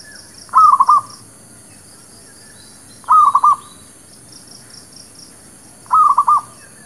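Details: Local village zebra dove cooing, used as a lure for trapping and for newly acquired birds: three phrases of quick staccato coos, each a short rolling burst repeated roughly every three seconds, over a steady high hiss.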